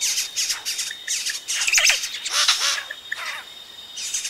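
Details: Close-up of Yellow-rumped cacique chicks calling as adults arrive at the nest: a busy stream of high, scratchy chirps and squeaky notes, overlapping in bursts, with a faint steady high tone behind.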